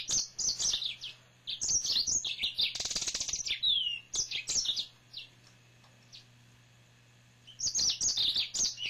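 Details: A male yellow-fronted canary kept at home pours out a lively, high-pitched song of fast twitters, buzzy trills and falling whistles, with a quiet gap before a final rapid burst.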